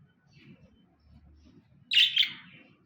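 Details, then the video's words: Pet budgerigars, a pair kept at home, giving a short burst of two harsh chirps around the middle, with a faint low background murmur before it. "Coco And Moco The Budgies"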